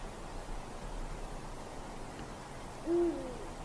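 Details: A Eurasian eagle-owl in a dark forest on a winter night gives one deep, short hoot near the end, low and level in pitch, over a quiet background hiss.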